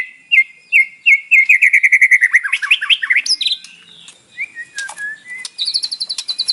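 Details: Murai batu, the white-rumped shama, singing a filled song used as a morning lure to make a captive bird sing. Whistled notes accelerate into a fast rolling trill, then scattered sharp notes and a high, rapid chattering trill.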